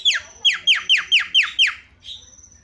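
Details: Javan myna lure call to prompt other mynas: six loud descending whistled notes in quick regular series, about four per second, ending in a softer buzzy trill.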